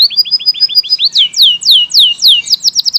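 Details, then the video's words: Canary, local type or AF/AFS, singing energetically with varied phrases: quick repeated high notes, then a run of loud downward-sweeping whistles, ending in a rapid chattering trill. "SUARA VARIASI BURUNG KENARI GACOR JENIS LOKAL, AF, AFS"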